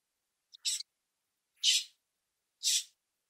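Common Grackle giving three harsh, raspy chack notes about one second apart, each short and hoarse, against a silent background.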